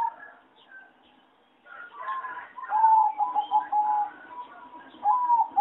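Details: Competition-bred zebra doves from farms, singing judged mediocre; a cluttered mix of chirps and calls gives way to a short burst of quick cooing notes, followed by a brief final phrase.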